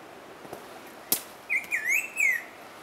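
A Black-throated Grosbeak sings a short phrase of clear, slurred whistles, dipping and rising over about a second. A single sharp click comes just before it.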